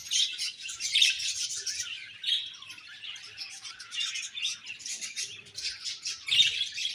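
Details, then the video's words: Budgies chirping in pulsing bursts of high, rasping twitter that rise and fall in loudness throughout. "Beautiful Budgies Chirping Sounds"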